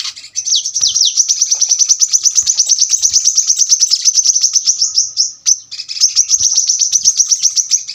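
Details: Brown-throated sunbird, also called kolibri kelapa, in a long sharp song: a couple of downward sweeps, then a dense rattling stream of high chips, a brief pause, and the stream resumes.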